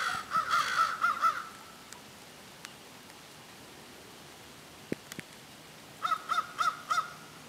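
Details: Crows holding what sounds like a serious discussion: a series of hoarse, evenly spaced caws, a stretch of quiet broken by faint clicks and taps, then another run of five rhythmic caws.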